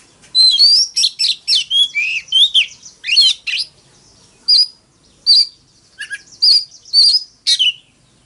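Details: Oriental magpie-robin singing its fighting song in the morning: a fast burst of varied chirps and slurred whistles, then spaced single sharp notes about every half second to second, clean quiet background.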